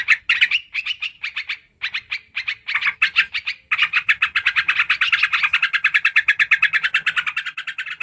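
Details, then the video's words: Yellow-vented bulbul (trucukan) lure sound: spaced chirp bursts that merge into a long, fast, even rattle of bright notes. "SUARA PIKAT BURUNG TRUCUKAN KARUANG"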